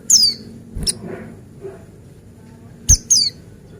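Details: Buxtoni white-eye, a male, singing as a lure for other white-eyes: sharp, high descending whistles in short pairs separated by a long gap, with a few soft low knocks between them.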